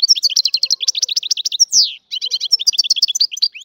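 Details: A free European goldfinch known as Algerian goldfinch sings continuous high twittering, dense rapid chirps broken by one long descending slurred note and a brief pause, then more tinkling runs.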